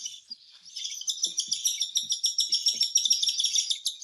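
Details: Cockatiel being hand-fed: high, insistent begging pulses that build from quiet to loud and repeat about three and a half times a second, with faint low taps underneath.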